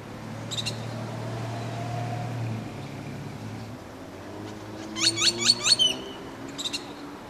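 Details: Great-tailed grackle in San Francisco giving sharp, harsh clicks, then a fast run of four or five piercing notes under a second. Low traffic-like rumble underneath.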